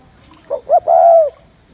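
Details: One spotted dove phrase meant to stir males: two quick soft notes leading into a single long, level, low hum lasting about half a second.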